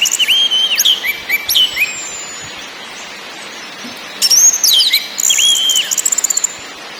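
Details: {'text': 'Orange-headed thrush song in a lure recording with ngakrak, ngeplong and nyiul styles: high whistled phrases with sharp slurs and rising-falling notes, then bursts of rapid buzzy trills, separated by pauses over steady background hiss.'}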